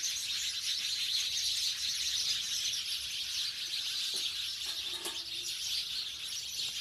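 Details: Sparrows living in a village, away from the city, a busy flock chirping rapidly in overlapping high tweets, with a few louder single notes near the end.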